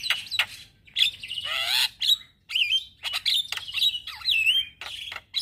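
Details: Male Javan myna morning song for luring and tutoring starlings: wavering whistled notes, a descending harsh rattle, and looping whistles separated by short pauses.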